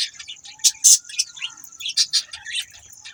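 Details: Budgerigars give a dense run of loud, scratchy chirps and squeaky warbles, close together and irregular, over a steady high whine.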